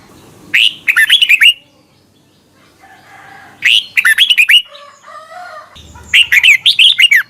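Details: Song of a red-whiskered bulbul from Thailand, for teaching young birds to copy: three bright, chattering phrases of quick slurred whistles, with softer warbling notes heard between them.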